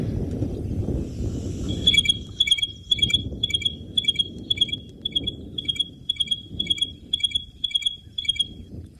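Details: Stierling's wren-warbler call played back on a sunrise safari at Djuma Private Game Reserve on 8 January 2023, after being heard at a dam. A high, ringing trill like a cross between a telephone and an alarm repeats about twice a second over low rumbling wind.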